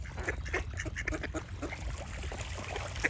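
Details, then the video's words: Rapid, raspy duck quacks follow one another in an uneven series, over a steady low rumble and occasional higher bird notes. "Cute Duck Quack Sound Effect with Birds Singing"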